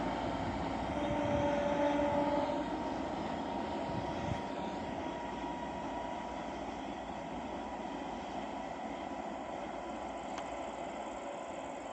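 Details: Steady rumble and whine of a passing train or engine, with a brief tonal hum early on; no animal calls stand out.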